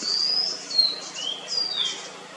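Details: In Munnar, Kerala, India, February 2023, a white-bellied blue robin gives clear, high whistles. There is a long level note, a short dropping slur, a lower rising note, then another high falling whistle, against steady background hiss.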